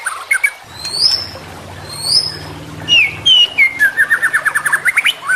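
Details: White-rumped shama song used for training captive birds: rich whistled phrases, rising and falling slurs, then a rapid series of repeated clipped notes, with a low hum in the background.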